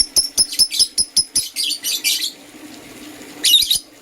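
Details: Green and blue lovebirds in the morning: a rapid series of clipped high chirps, about five per second, runs into scratchy twittering, then a pause and a final harsh burst.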